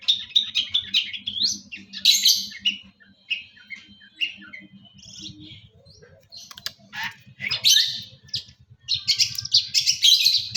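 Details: Long-tailed shrike from East Java, Indonesia, in lively gacor song packed with isian: rapid scratchy chattering phrases, thin drawn-out whistles and a quieter middle stretch before renewed dense bursts.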